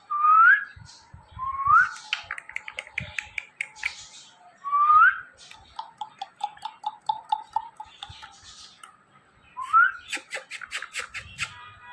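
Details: Indoor pet ringneck parrot mixes rising whistled slurs with bursts of rapid clicking and chattering notes, pausing irregularly between phrases.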